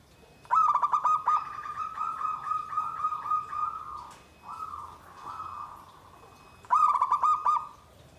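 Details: Zebra dove song with a pulsed, rolling burst of low coos running into a long series of smoother coo phrases, a brief pause, then another fast stuttering burst of cooing notes.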